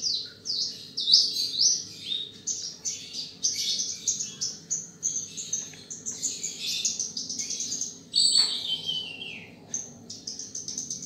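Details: Australasian bushlark (Mirafra javanica), a field bird valued for its beautiful song, delivering a rapid, varied stream of high scratchy and whistled notes with short pauses, over a faint steady low hum.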